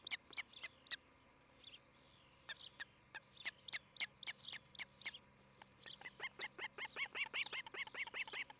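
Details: Osprey nest in Charlo, Montana, 11 July 2018, morning: scattered sharp chirps and thin whistles that build into a fast, steady run of bright, repeated chirps at the end, about four per second.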